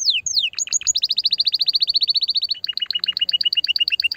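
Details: Canary song used to encourage a female to mate: two descending whistles, then a fast steady trill of repeated notes, followed by a slower, lower-pitched series of paired chips.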